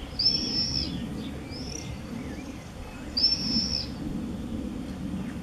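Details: Common swift 'bangers' at nest-box entrance holes, home observation boxes in Beek-Ubbergen, Netherlands, 8 June 2014. Two loud, shrill screams about three seconds apart, with a fainter brief scream between them.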